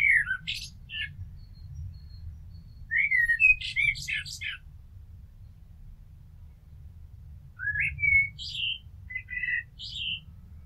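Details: Resident garden blackbird singing over about ten seconds: separate bursts of mellow warbled whistles, each trailing into high squeaky twitters, with quiet gaps between phrases and a low background rumble.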